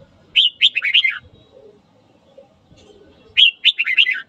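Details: Red-whiskered bulbul morning song used to stir up fighting: two quick, bubbly warbled phrases about three seconds apart, each a bright opening note followed by rapid falling chirps, with faint low rumbling behind.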